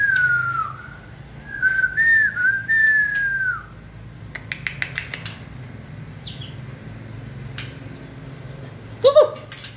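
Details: White-rumped shama at its fiery 2020-season peak, whistling wavering, looping mid-pitched phrases, followed by a run of dry clicking ticks and a final short rising note.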